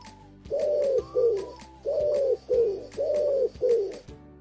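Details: Pigeon, presented among winter forest birds, coos in low, throaty pairs, a steady note then a falling one, three times in about four seconds, with faint clicks behind.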